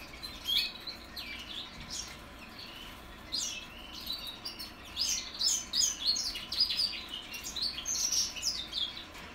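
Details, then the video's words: Goldfinch mules hatched in 2021 practising their song: faint, high, scratchy twitters and quick chirps in loose bursts, growing busier toward the end. "2021 goldfinch mules learning how to sing"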